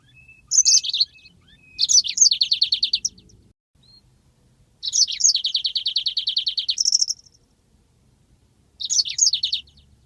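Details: A yellow-fronted canary's long rolling song for training other birds. Four phrases open with slurred whistles, then break into rapid high rattling trills. The longest trill runs about two seconds, and quiet gaps separate the phrases.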